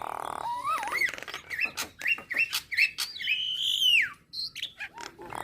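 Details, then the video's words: Singing Nias hill myna, heard to stir other starlings: a rising whistle, a string of short looping whistled notes, then a long sliding whistle falling sharply, with clicks between notes. "Kicauan Burung Jalak Akan Bunyi Jika Dengar Kicauan Jalak Nias Suara Unik Pasti Bikin Emosi"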